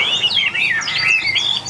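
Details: Caged Chinese hwamei, one of eight tame, newly arrived birds, giving a brief rich warbling phrase of rapid high slurred notes that rise and fall continuously, with faint background hiss.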